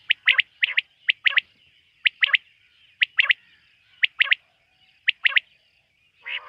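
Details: Quail at night, in a quail-hunting setting, gives crisp liquid triplets, one note followed by a tight pair, about once a second for several phrases, and a harsher buzzy note closes the sequence. The background stays otherwise quiet.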